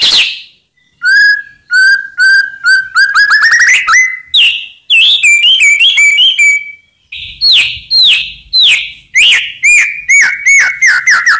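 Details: White-rumped shama song meant to make other shamas answer in anger: a run of repeated whistled notes speeding into a rapid trill, then a steady whistle and a series of loud downslurred calls.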